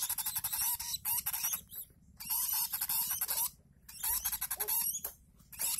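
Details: Hand-fed lovebird chick about one month old begs for food with long runs of harsh, very high rasping squeals, broken by brief silences, with faint rustling in the background.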